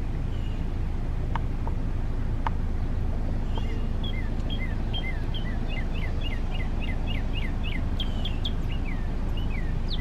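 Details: Northern Cardinal male in song, starting with a few scattered faint notes, then a fast run of about a dozen evenly spaced downslurred whistles over a constant low background rumble.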